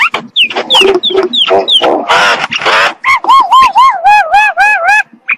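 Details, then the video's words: Common myna song at dawn: looping high whistles and a harsh grating stretch give way to a steady run of bouncing, wavy whistled notes repeated several times a second. "تغريد طائر المينا في الصباح"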